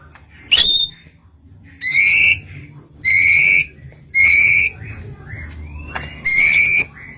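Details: White-rumped shama song used as a lure to provoke rival birds into singing: loud, clipped whistled notes with rich overtones, about five bursts spaced roughly a second apart, over faint low background hum.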